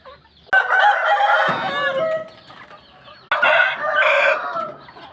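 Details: Roosters crowing at dawn: two loud, hoarse crows, each nearly two seconds, with a strained, drawn-out ending and a short pause between them.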